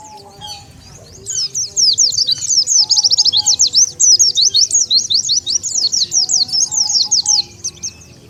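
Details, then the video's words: Oriental white-eye lure calls that bring wild white-eyes together: after a quiet start, a long, dense, energetic stream of high, thin, slurred chirps, about two to three per second, then silence. "SUARA PIKAT BURUNG PLECI SANGAT AMPUH,DENGAR SUARA INI BURUNG PLECI LIAR LANGSUNG NGUMPUL"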